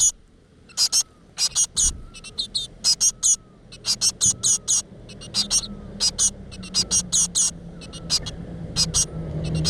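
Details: Begging chorus from great tit nestlings in a rock-crevice nest while the mother delivers insects: about twenty-five short, shrill, hissy squeaks in uneven clusters, with a low rumble rising toward the end.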